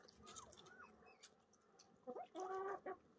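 Young yellow golden pheasants: two faint, slurred whistles early on, then a quick run of louder, nasal, buzzy notes near the end, over soft background noise.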